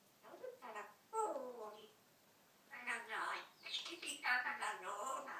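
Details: African grey parrot kept as a pet, talking in free style: two bursts of human-like chattered phrases separated by a pause, with speech-like syllables and faint room echo.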